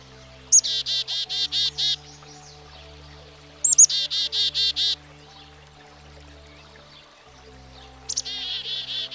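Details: Black-capped chickadee, a common American backyard bird: a high sharp note followed by a series of five or six buzzy, evenly spaced dee notes, given three times over several seconds, with a faint steady hum behind.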